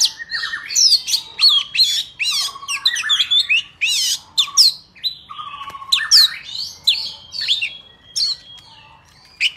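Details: Forest-style song of an Oriental magpie-robin, used to train young birds' singing and for trapping. Phrases are varied and loud, with rising and falling whistles, buzzy notes and lower fluty slurs, separated by brief pauses.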